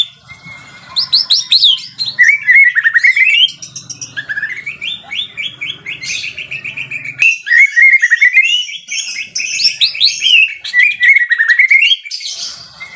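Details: White-rumped shama in full gacor song, delivering long bursts of rapid rising whistled notes and high buzzy flourishes. Short pauses separate the phrases. A soft low hum runs beneath.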